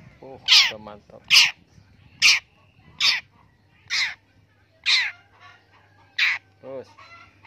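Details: Captive long-tailed shrike being trained to become tame while its keeper urges it to call: loud, harsh, rasping calls repeated about every second, eight bursts over a low steady hum.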